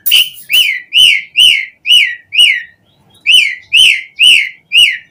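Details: Asian pied starling singing vigorously as a lure for other starlings: clear, arched whistles repeated about twice a second, a short pause midway, then the same whistled series resumes.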